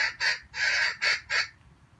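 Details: Wild junglefowl lure bird used for trapping, giving five loud, hoarse crowing syllables in under two seconds, short-long-short rhythm, the middle note longest, against quiet low hum.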